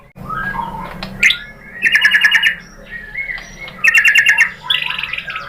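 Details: White-rumped shama song used as a lure to provoke another bird into singing: bursts of rapid, evenly spaced chattering notes alternating with short whistles and squeaks, with a low hum underneath.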